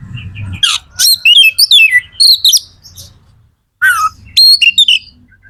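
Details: Caged magpie-robin (kacer) singing to spur other birds to sing: dense burst of high whistled and buzzy notes, a pause, then a downslurred harsh note and whistled phrase over faint low hum.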